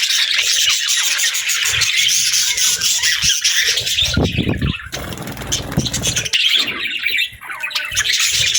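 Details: Pet budgerigars chirping together in a dense, continuous high twittering chatter, broken midway by a few seconds of low rumbling background noise.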